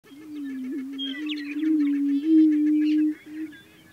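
A greater prairie chicken booms with a low, hollow, sustained moan, while high cackles and clucks chatter above.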